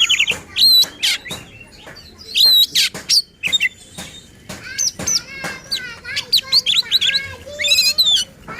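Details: Oriental magpie-robin in aggressive, varied song meant to rouse other magpie-robins: loud harsh bursts, clear whistles and wavering warbled phrases, growing denser and more rapid toward the end.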